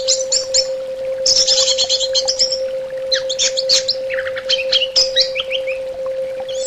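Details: Therapy-sound recording of an orange-headed thrush (anis bata) giving a busy, chattering song of rapid high trills and clipped notes, loud throughout, with a steady hum in the background.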